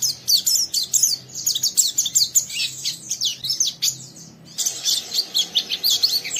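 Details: Caged young oriental white-eye in full rough ngeriwik song, goading another white-eye to sing along; dense run of sharp high chirps and slurred twitters, a brief lull near the fourth second, then the chatter resumes.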